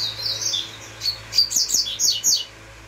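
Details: Uruguayo song of a double-collared seedeater: a warbled opening, a clear whistle, then a rapid series of high, sharp, downslurred chirps in even succession, closely recorded over faint hum.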